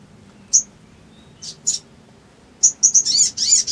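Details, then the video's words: Sooty-headed bulbul song for provoking another bird to sing: scattered sharp, high chips at first, then a quickening run of slurred, jumbled twittering notes. "SOGON GACOR NEMBAK NGLEPER❗ PANCINGAN EMOSI SOGON MACET BUNYI"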